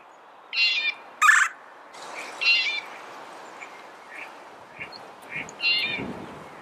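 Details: Red-bellied woodpecker giving a few loud, harsh rolled notes early on, then softer scattered chirps and a low rumble near the end.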